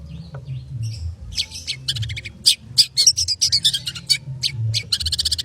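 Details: Long-tailed shrike song in the 'konslet' manner, beginning with a soft faint note, then building into loud, crowded scratchy chatter and sharp squeaks in quick succession.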